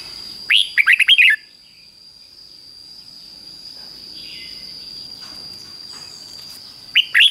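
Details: Red-whiskered Bulbul singing the 'double' style, fik-jik-fok, for young birds to copy: a burst of about six liquid, warbling whistles, a long pause with faint hiss and a steady whine, then the next phrase beginning.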